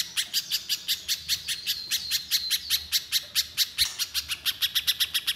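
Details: Little spiderhunter singing in energetic gacor style with shooting nembak notes: a fast train of sharp, high chipping notes, about five per second, uneven in spacing, with a faint low hum behind.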